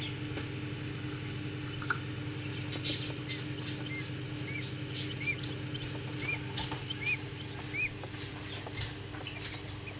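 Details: Newly hatched Common Quail chicks in an incubator, some born early. Several short, arched peeps ring out in the second half over a steady low machine hum, with faint tapping and rustling.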